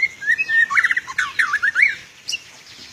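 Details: White-rumped shama in champion contest form, singing a dense burst of quick whistled notes that sweep up and down in a rapid run of trills, then ending with a short high note.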